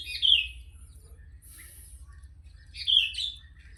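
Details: Sooty-headed bulbul singing actively: a bright, bubbly warbled phrase, a short high faint hiss, then a second liquid rolling phrase, with a steady low hum beneath.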